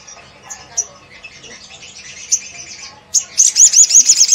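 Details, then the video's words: Gacor Crimson Sunbird singing to trigger responses from other sunbirds: soft high twittering that breaks into loud, rapid, looping high notes repeated several times a second. "PENDONGKRAK EMOSI SEMUA SOGON MANA TAHAN DENGAR INI"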